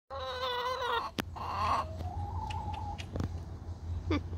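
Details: Domestic hens hanging out together; drawn-out, tonal, whining calls with rich harmonics open the clip, followed by a shorter burst and a steady, lower, level note, with a few sharp clicks and a constant low hum behind.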